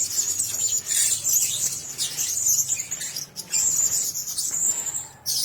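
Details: Blue-crowned hanging parrots sharing one cage keep up an almost continuous high, hissing shrill trill that briefly drops out and returns, with a sharp click near the end.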